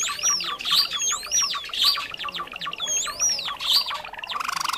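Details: Java sparrow call used as a lure for trapping, from rice field and farmland birds. Repeated swooping whistled notes, rising then falling, about once a second, among fast clicking chirps.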